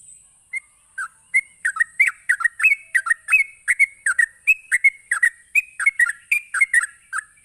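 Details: Sooty-headed bulbul in rapid 'ropelan' song, used to provoke other bulbuls into answering. Quick liquid whistled notes rise and fall, sometimes slurring upward, about two to three per second. A steady high thin hiss runs underneath.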